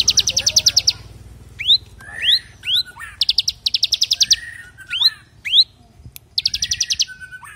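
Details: Caged bar-winged prinia singing in 'brem AK47' style for training other birds: three dense rattling trill bursts, roughly every three seconds, separated by sharp upward-sweeping whistled notes.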